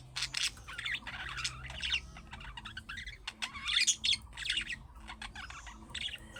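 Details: Caged budgerigars chattering in the calling manner of young birds, meant to get other budgies to respond; busy squawky warbles and rising, looping chirps packed closely, with a faint low hum beneath.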